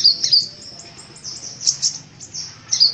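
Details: Brief burst of sunbird singing, a kolibri ninja versus kolibri wulung pairing from Indonesia: high, squeaky, twittering notes in two clusters with a thin sustained tone between them, against a faint low background hum.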